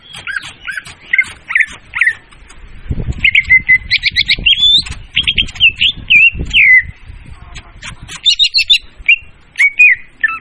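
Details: Leafbird lure sound used for trapping, clear and loud: a rapid series of sharp whistled and chirped notes, some quick rising and falling slurs, delivered in bursts with short pauses, plus faint low rustling underneath.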